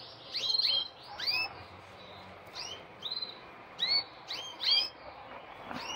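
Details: Captive male canary courting a red female in breeding season, singing vigorously: scattered bright whistled notes, each a quick downward sweep with upper harmonics, given in short irregular bursts about every half second over a soft background hiss.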